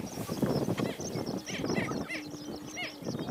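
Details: Greater prairie-chickens on a lek with a female present, two banded males in a confrontation at a territorial boundary: low, steady hooting moan, busy cackles, whoops and rapid foot-stamping, with higher chirping notes.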